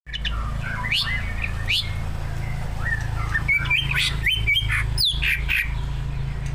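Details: Greater green leafbird, a captive competition bird, singing a loud varied song of whistled slurred notes around two to four kilohertz, rising and falling phrases with sharp chips mixed in, over a steady low hum.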